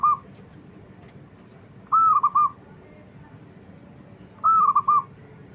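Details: A small zebra dove with a fighter's temperament calls to lure other doves into answering. Clean phrases of a rising note then a fast tumbling trill recur every two and a half seconds in near-silent surroundings.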